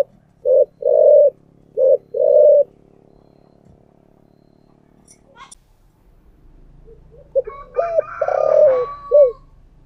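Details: Spotted dove decoy call in the 'giọng thổ' voice style, played to make a home dove coo. Four soft, low hollow coos come in two pairs, then silence, then a louder burst of mixed harsher sounds.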